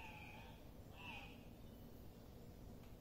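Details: Andean Cock-of-the-rock at a lek gives two nasal, squealing calls, one long and one short about a second apart, over a low rumbling background hiss.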